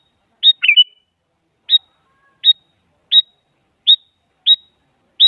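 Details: Female sooty-headed bulbul calling to a male, meant to make a silent bulbul reply: one bubbly whistled phrase, then six short, sharp chirps at steady intervals under a second apart.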